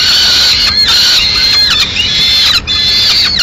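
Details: Peregrine falcons at their Madrid nest during a mid-morning feed, the female arriving with pigeon remains; continuous strained, whining calls with bending pitch, broken by brief pauses.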